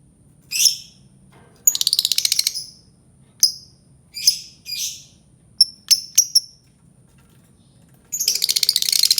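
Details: Albino lovebird calling with sharp chirps, a buzzy rattling trill, clipped high notes in a quick cluster, and a final rapid chattering burst.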